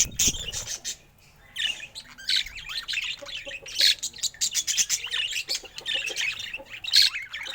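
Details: A pet budgerigar that appears happy gives quick clusters of chirps and scratchy warbled phrases, separated by brief silences, with a few sharp bright squeaks.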